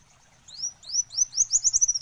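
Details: Olive-backed sunbird singing: thin, high upslurred notes that run into a quickening series of sharp, sweet chips, growing louder toward the end.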